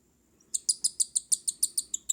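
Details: Baby cockatiel chicks being hand-fed, giving a rapid series of short, sharp high-pitched begging chirps, about five per second, each with a bright upper overtone, starting abruptly after a brief quiet moment.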